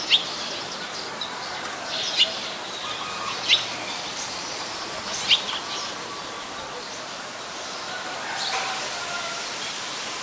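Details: Eurasian tree sparrow recorded 10 May 2020 in Ubon Ratchathani, Thailand, delivering four sharp separate chirps spaced over about five seconds, then softer calls fading into background noise.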